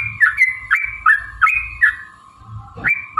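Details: Yellow-vented bulbul song intended as a lure to make birds sing and fight; gurgling, liquid phrases in a quick series, a brief lull, then a sharp click and another phrase, over a constant hum.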